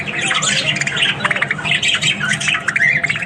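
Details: Australian budgies chattering in the morning with quick squeaky warbles, short rising whistles and harsh squawks tumbling over one another.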